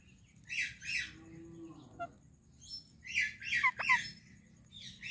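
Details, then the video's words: Parrot greeting another parrot, giving short, raspy, chattering bursts in small clusters separated by pauses, with a brief falling tone midway and a pair of sharper notes near the end. "Indian Parrot Greeting Pakistani Parrot | Funny Talking Parrot"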